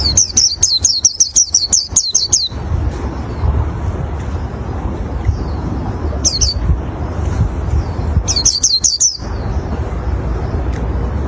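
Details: Oriental white-eye song, said to lure other white-eyes: rapid bursts of very high, thin, twittering notes in quick series, pausing between bursts, over a loud steady low rumble of background noise.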